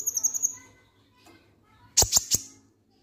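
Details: Konin lovebird in ngek-ngek singing style, played to trigger other birds to sing: a fast, high pulsed trill of about six notes, a pause, then three sharp, clicking high chirps in quick succession.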